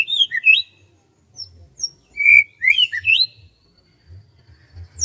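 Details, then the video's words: Birdsong on a morning in rice fields: clear high whistled notes and short rising and falling slurs in separate bursts, with pauses between phrases and faint low rumble beneath. "SUASANA PAGI DI SAWAH SAMBIL DENGERIN KICAUAN BURUNG"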